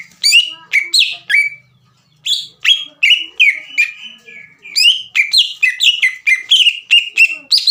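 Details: Green leafbird singing to provoke a rival bird: bursts of sharp chirps and whistled slurs, a brief pause, then fast continuous runs of down-slurred whistled notes, a faint low hum in the background.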